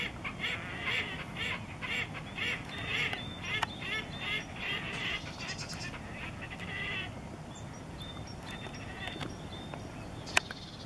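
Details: Red-necked grebe singing at Kissakoski in April 2020: a run of harsh, rapid pulsed notes, about two per second, fading after seven seconds, over steady low rushing water and a distant high whistling bird.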